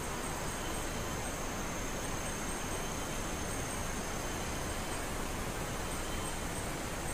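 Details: Steady broadband hiss and low rumble, like wind or distant traffic, fills the whole stretch with no animal calls.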